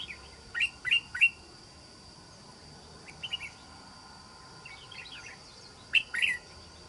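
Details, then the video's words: Wild-caught red-whiskered bulbul used for trapping, prized for its island-forest voice, sings several bursts of sharp, lively warbled notes in clusters of two or three separated by pauses, with a faint steady hiss. "Bẫy Chào Mào. Mau Mỏ . Bung Xoè.Gốc Mào Cao Dày . Giọng Rừng Đảo Tốt (Bổi 41)"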